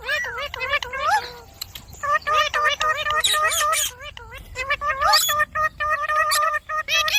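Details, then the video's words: Indian ringneck parakeet kept as a pet, talking rapidly in a run of bright, wavering, speech-like syllables with quick pitch bends, a few harsher noisy bursts mixed in, for about seven seconds. "Talking parrot video|Ringneck parrot video|Parrot sound video|Parrot voice video"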